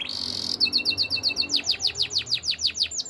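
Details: A Waterslager canary delivers training song: a short buzzy trill, then a measured run of loud descending whistled notes, roughly four each second, with a low hum underneath.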